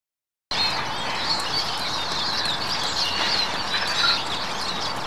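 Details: On a frost-cold winter day, a flock of Eurasian siskins feeding on tree seeds gives a continuous, overlapping high twitter of thin chirps and wheezy notes, with a steady rustling background.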